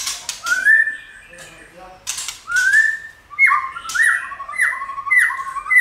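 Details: White-rumped shama song used to stimulate shamas to sing and flick their tails during song training: rich whistled phrases, a long rising whistle, then a run of quick descending slurred notes, with scratchy clicks between phrases.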